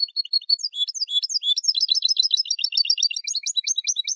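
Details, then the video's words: European goldfinch song for tutoring young goldfinches: a dense, fast tumbling stream of high twittering and tinkling notes, continuous throughout, with varied trills and chirps. "موسوعة الحسون العالمية (9) chants des chardonnerets du monde (9) goldfinch songs"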